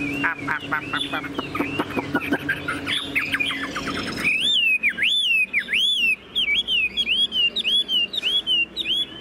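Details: Caged, tame Chinese hwamei singing nonstop: a chattering, rattly warble first, then a series of loud, pure whistled notes that dip and rise, repeated in rapid sharp phrases.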